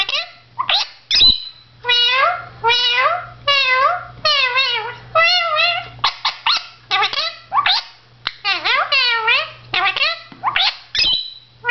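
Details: Male blue Indian ringneck parakeet chattering to himself at a mirror indoors: a long, steady string of clipped, speech-like syllables and bent harmonic phrases, some swooping up and down, with brief gaps and sharp clicks in between.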